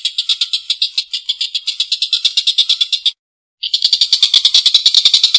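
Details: Collared kingfisher giving a long, rough laughing call: harsh, buzzy, high-pitched notes repeated about three times per second for three seconds, then a brief silence before the rapid rasping series resumes.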